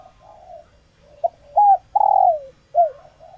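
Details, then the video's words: Female spotted dove in laying condition, kept bird, calling to stimulate males to coo back; soft low murmur, a quick note, a level hooked coo, then a loud rough rolling coo sinking in pitch and a final curved note. "Tiếng Chim Cu Gáy Mái Chuẩn Kích Trống"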